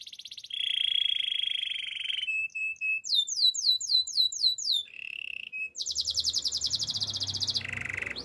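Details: Domestic canary song opening with a long steady whistled tone, then a few short pips, a row of sharply slurred chirps, and a fast buzzy trill, with a faint low rumble near the end.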